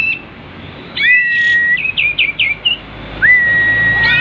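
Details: Kapas tembak, the sooty-headed bulbul, in breeding condition and spreading its tail, giving long level whistles, a run of five short rising whistled notes, then another drawn-out whistle over low background noise.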